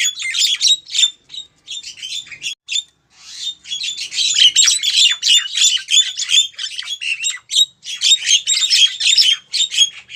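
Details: Javan myna female calling to attract a male, producing continuous harsh chatter and squawky notes with whistled accents, fast and irregular throughout.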